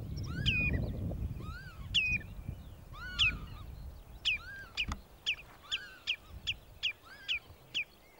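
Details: Common redshank recorded in Sweden, calling, warning and mating, with a Northern Lapwing in the background. Sharp piping notes are mixed with lower arched calls and a low rumble, clustering in bursts and then coming more evenly spaced toward the end.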